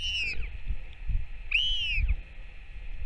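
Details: Two bright arching whistles about 1.5 seconds apart as a Northern royal albatross parent feeds its chick on 21 May 2024, with low thumping noise in the background.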